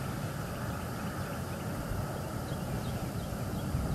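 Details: Constant low rumble of wind and distant traffic-like noise, with no distinct animal voices.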